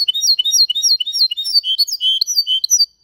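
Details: Goldfinch-canary mule performing its clean Malaga copy: quick chains of high, slurred chirps alternating with short lower rolling trills, continuous and strong, ending abruptly.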